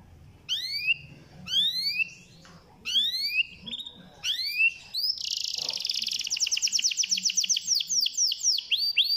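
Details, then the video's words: Canary song used to stimulate a lazy canary into singing: three slurred whistles rising then falling, separated by pauses, then a fast, dense rattling trill of rapid high notes building steadily to the end. "PANCINGAN KENARI AMPUH"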